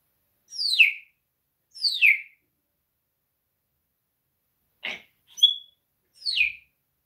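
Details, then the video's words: Foul-mouthed pet parrot talking with its owner during a live stream; sharp high whistles sliding steeply downward, repeated twice about a second apart, then a short click, a brief pure tone and one more falling whistle. "Попугай матершинник говорит с хозяином в прямом эфире попугай ругается"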